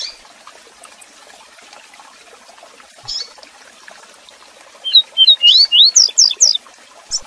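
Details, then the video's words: Double-collared seedeater (coleiro) singing a Tui Tui Zel Zel style song, used to teach young coleiros and papa-capim. After a quiet start comes a quick two-second burst of high, sharp whistled notes and slurred chirps, over faint hiss. "Cantão Tui Tui Zel Zel para Manejo e Encarte de Coleiros e Papacapim"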